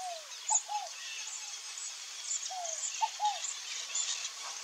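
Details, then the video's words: Scaled dove (fogo-apagou), free-living in Brazil, gives soft descending coos in twos, each pair about two seconds apart. Continuous high insect drone and a few faint chirps run underneath. "DOVE, SCALED DOVE (COLUMBINA SQUAMMATA), FOGO-APAGOU, ROLINHA-CARIJÓ, ROLINHA-CASCAVÉL."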